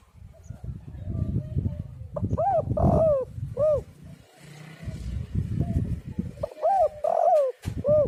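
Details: Spotted dove cooing, played to lure doves and set them singing: two phrases of rounded arched notes, each with a drawn-out falling middle note, over steady low rumble.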